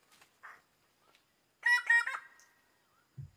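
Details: Harsh, nasal, rapidly repeated notes from a greater bird-of-paradise (Paradisaea apoda), a short rattling burst of four or five calls trailing off, with fainter calls before and a low thump at the end.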